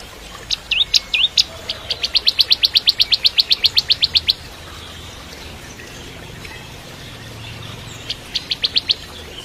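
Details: A crystal-type bar-winged prinia opens with a few varied high notes, then a long even trill of over twenty sharp chips, and after a pause adds a short final burst. Recorded as training song for magpie-robins.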